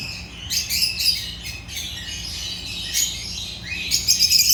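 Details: Several Agapornis lovebirds chirping together, a steady stream of high, scratchy chirps and sharp squeaks in uneven bursts without a clear rhythm.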